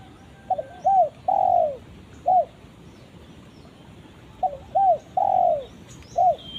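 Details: Spotted dove calling a companion, repeating the same phrase twice about four seconds apart. Each phrase has a stuttered pair of notes, a curved coo, a long falling coo and a short closing coo.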